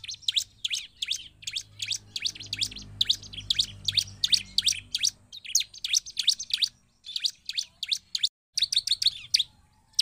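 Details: Ciblek, the Bar-winged prinia, in lively song used to provoke rival prinias; a long steady train of sharp high chirps, around three per second, briefly interrupted twice before continuing.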